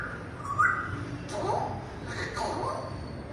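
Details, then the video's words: Pet African grey parrot giving a few brief speech-like utterances and a short whistled note, about three sounds with gaps between, against a low background hum. "African Grey Talking | Parrot Talking"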